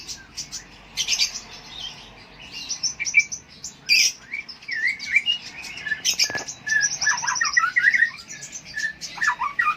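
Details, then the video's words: Konin lovebird song from Jambi, Indonesia: busy high-pitched twittering with thin squeaks, sharp clicks and wavering slurred notes running almost without pause, the strongest phrases arriving in the second half. "KICAU MANIA NUSANTARA 1, KONIN HATORI"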